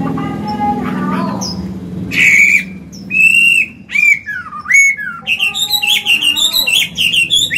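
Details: Mature Chinese hwamei singing a forest-style song, used to train and stimulate caged birds. Low hum and scattered faint notes come first, then loud whistled phrases that slide up and down, sharp rising notes, and quick chattering bursts.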